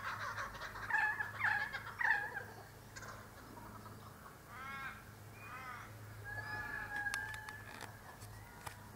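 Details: Laughing kookaburras in forest give a loud, harsh cackling laugh in rapid bursts, then fade into softer chuckling phrases; a drawn-out whistle and a faint low hum run behind.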